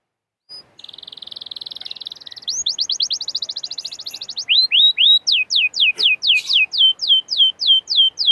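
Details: Canary singing as a lure meant to stimulate other canaries: a steady high buzzing trill, then a faster rolled trill, then clear separate downslurred whistled notes repeated about twice per second, loud and bright.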